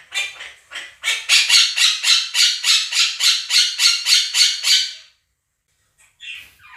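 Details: Two caged pet Quaker parrots screaming over a played recording of a budgie flock. A fast, even run of about fourteen harsh, grating squawks comes at over three per second, then stops abruptly. After a short silence, faint squawks resume.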